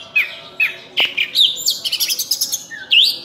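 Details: Oriental magpie-robin, locally known as cincim pala, in lively full-isian song full of learned material: upslurred whistles, a sharp click, dense high chattering notes, then a rising whistled phrase.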